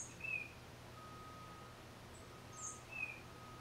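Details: Solo tufted titmouse, recorded with a Nikon D3500 and 500mm lens, gives two phrases of a high thin note and a short lower whistle, separated by a pause, over a faint steady tone and hum.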